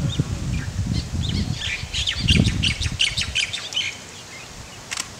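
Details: Moli, the Laysan albatross, chicks with adults feeding them in Princeville on Kauai, Hawaii, May 2010: rapid rasping squawks repeated several times a second over low rumbling handling noise, with faint chirps from other birds.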